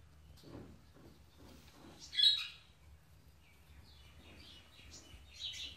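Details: Pet Indian ringneck parakeet greeting an African grey parrot and showing affection; two loud, harsh, screechy squawks about three seconds apart, with soft low murmuring sounds between them.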